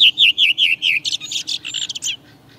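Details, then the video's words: A redwing sings its typical song: about six clear, slightly descending fluty "tru" notes, then a fast scratchy, squeaky thrush twitter at the end. "det nog ändå så här den låter, rödvingetrasten."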